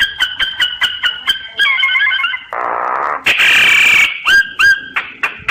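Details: Phone-app recording of a common myna singing: fast repeated two-pitch notes, a bubbling warble, a low grating buzz, a loud hissing squawk, and a pair of bent whistles to finish.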